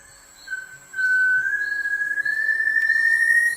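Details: Slaty-masked tinamou, a species described in 2025 and thought restricted to the Serra do Giz massif, gives one long, pure whistle rising slowly over about three seconds; its powerful songs echo across steep mountain slopes. Soft background music.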